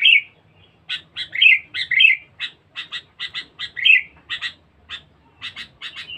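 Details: Aggressive, constantly singing sooty-headed bulbul lure bird delivers loud rolling whistled phrases mixed with many short harsh chatter notes, busy and irregular for six seconds.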